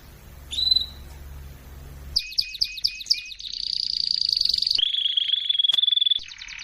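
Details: Canary song in a training recording: after a quiet opening chirp, rapid clipped notes lead into a long rolling trill, then a level whistled tone and another short burst.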